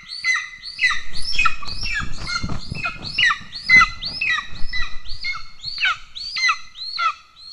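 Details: At a golden eagle nest in Estonia, 17 July 2024, as the father arrives carrying a pigeon for a chick that has already eaten: a rapid series of shrill, inflected calls about twice a second, with low rustling and thumping noise underneath.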